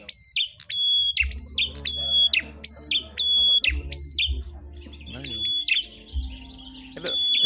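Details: Prinias competing in song: rapid series of piercing, ringing chirps repeated about twice per second, then a brief pause with softer notes before the bursts resume, over a faint low hum.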